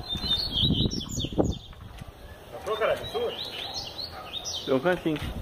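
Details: Double-collared seedeater, said to sing year-round, giving high twittering phrases and slurred notes, interrupted by low murmuring voices and thumping noises.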